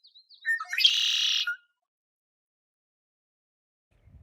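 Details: A male Red-winged Blackbird at Sand Creek Regional Greenway among tall Phragmites gives a few quick, sharp opening notes, then a harsh, buzzy trill lasting about a second; silence follows, with a faint low rumble at the end.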